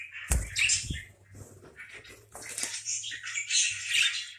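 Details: Parakeet chirps and scratchy squawks, some with clear whistled notes, over a low steady hum and a couple of knocks near the start.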